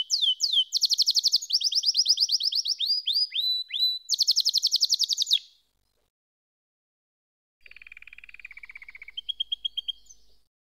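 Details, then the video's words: Canary song: bright, rapid rolling trills and upswept notes for about five seconds, a short silence, then a softer, lower trill ending in a few higher clipped notes. "Canary SINGING"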